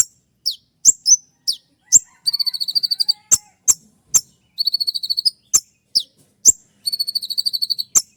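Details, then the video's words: Spotted kolibri ninja sunbird in a sharp 'shot' song used to train other birds, played at dawn; piercing downward chips alternating with rapid buzzy trills of evenly spaced high pulses, three trill bouts in all. "Masteran dan Terapi konin trotol dengan suara tembakan yang mudah"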